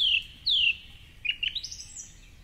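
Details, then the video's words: Wild song thrush singing in darkness at 4:45am from a tall treetop perch by the Curragheen River, Cork City, Ireland, during the dawn chorus. Two loud, clear, high whistled notes slide downward, followed by fainter twittering phrases. "Dawn Chorus with Song Thrush"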